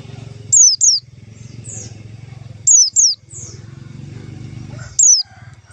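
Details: White-eye lure call for catching white-eyes: high descending notes mostly in quick doubles, repeated about every two seconds over a steady low engine-like drone.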